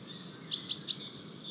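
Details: White-tailed eagle at a nest in Estonia on 4 May 2023, with a newly hatched chick as the male brings a fish, giving three thin, high, sharp notes about a fifth of a second apart over a faint steady hiss.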